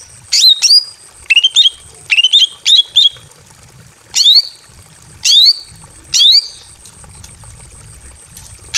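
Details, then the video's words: A female greater green leafbird in breeding condition, in a simple aviary, calls to a male: sharp, high, down-slurred notes, singly and in quick pairs, about ten across nine seconds, over a faint low rumble. "KICAU BURUNG CUCAK IJO BETINA MEMANGGIL JANTAN BIRAHI KAWIN"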